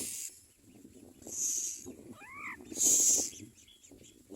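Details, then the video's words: Common myna chicks begging while being fed: a few spaced hissing screams and a quick double whistled chirp in between, over soft rustling. "Common myna Baby Birds feed in their mouths and scream for food"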